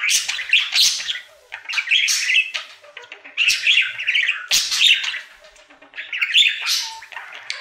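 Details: Budgie on its daily singing routine, a happy pet bird producing choppy bursts of scratchy warbling and sharp clicks, with short pauses and one brief steady whistle near the end.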